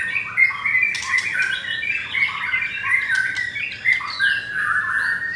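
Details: Double-ringed blorok white-rumped shama kept caged at a Jakarta bird kiosk, recorded 9 am, Thursday 19 May; a busy, harsh-edged medley of squeaky whistles and scratchy chatter filling the whole stretch.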